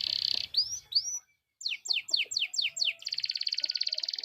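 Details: Lively canary lure song meant to prompt other canaries into song: a buzzy trill and upswept notes, a short gap, then a run of seven steep descending whistles and a rapid even rattling trill.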